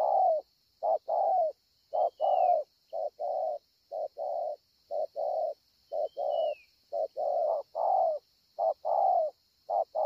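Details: Spotted dove at Ngọc Hồi, 25 March 2020, cooing strongly: paired low hollow coos, a short note then a longer falling one, repeated steadily, with a faint high whistle from another bird and a constant thin high hiss.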